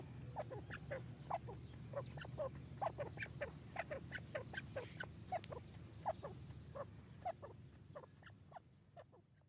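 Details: Grey francolin chicks calling with many short, thin chirps at irregular intervals, roughly two per second, some with slight downward inflection, over a steady low hum.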